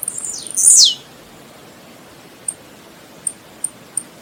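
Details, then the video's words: Blue-black grassquit (tiziu) singing in Brazil: one sharp buzzy note sweeping steeply downward from very high pitch, then a few faint high ticks over a quiet background. "Canto Do Tiziu - Canto Do Tiziu Para Esquentar"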